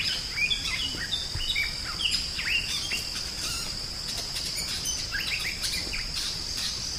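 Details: Drongo singing energetically, used as a master recording for songbird training; scattered upswept whistles and short chips come in loose clusters over a persistent shrill background hum of insects.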